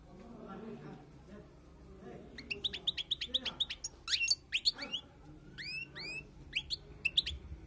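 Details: Wild European goldfinch song, used for tutoring. Low background hum for two seconds, then a rapid twittering run of bright, liquid chirps and short upward-curving whistled notes that continues to the end.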